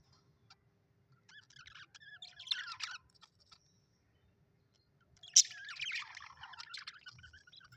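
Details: Happy pet budgerigars giving two separate bursts of high chattering chirps and scratchy warbles, with quiet gaps before and between them.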